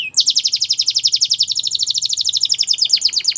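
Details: Canary singing one long, unbroken rapid trill of bright high notes, pulsing about eight times a second and keeping a steady pitch throughout.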